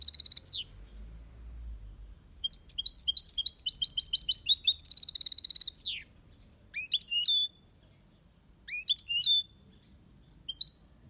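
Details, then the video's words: European goldfinch in an aviary delivering Málaga copy song: a buzzy opening, then a long fast tinkling twitter of repeated liquid notes ending in a harsh trill, followed by short chirpy phrases after pauses. "Goldfinch song/ best chirping of the goldfinch | Jilguero Cantando copia malaga/ chardonneret chante"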